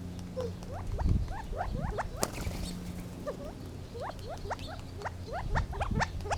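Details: Gambel's quail chattering: many quick upswept chirps tumbling over one another, several birds calling at once, with a thump and a click early on and a low background hum.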